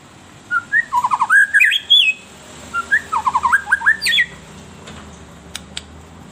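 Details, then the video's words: White-rumped shama lure song for captive birds: two similar phrases of fast, bubbling whistled notes rising stepwise into high twisting flourishes, followed by a couple of sharp clicks. "SUARA MERDU PANCINGAN MURAI BATU EMOSI"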